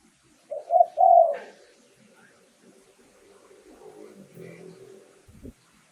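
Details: Spotted dove in Thailand used as a lure, one low three-part coo of two short notes and a longer drawn note, followed by faint murmuring voices and a click.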